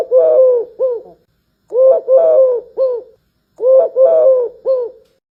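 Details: Eurasian collared dove, recorded for comparison with the Barbary dove, giving three-note coos: a short note, a longer stressed middle coo and a brief final note. The phrase is repeated three times about every two seconds, with silence between phrases.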